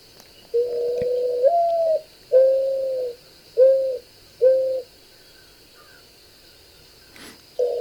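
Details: A mourning dove gives soft, low coos that are often mistaken for an owl: a longer rising first note followed by three steady hollow hoots, about one per second.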